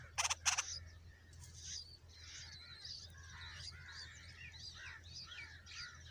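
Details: Bulbul chicks begging while a parent feeds them a huge worm: rapid, squeaky, high chirps tumbling over one another, opening with two sharp loud bursts over a low steady hum.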